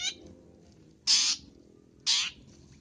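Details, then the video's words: Long-tailed shrike sound meant for luring: two loud, buzzy, rasping calls, each lasting about a quarter second, separated by roughly a second of quiet low rumble. "Suara untuk pikat Pentet"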